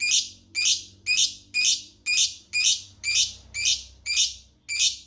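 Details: Lovebird ngekek, a long chattering song: harsh, buzzy bursts repeated about twice a second, each note loud and high, with a faint low hum underneath.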